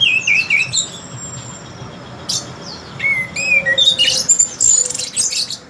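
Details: Orange-headed thrush with a very melodious voice; slurred whistled phrases wavering around mid pitch, then a rush of high, sweet, warbled notes with brief pauses between bursts.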